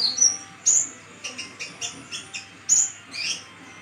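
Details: Caged brown-chested sunbird from Sumatra, kept a long time and singing while in moult, recorded as a tutor for songbirds; thin high whistled notes broken by a run of short sharp chips repeated about every fifth of a second.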